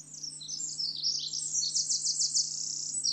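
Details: Pacific wren, formerly called winter wren, singing a long bubbling cascade of very high, rapid trills and tinkling notes, tightly packed and jumping in pitch, continuous through the clip; faint steady low hum beneath.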